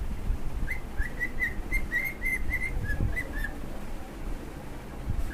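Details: Two pet cockatiels singing: a series of short, clear whistled notes, some rising and some falling, repeated about twice a second over a steady low rumbling background noise.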